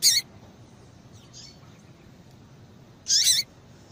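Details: Female yellow-bellied seedeater calling to stimulate males; a sharp high chirp at the start, then a longer, harsher buzzy chirp three seconds later, with a faint softer note between, over quiet hiss.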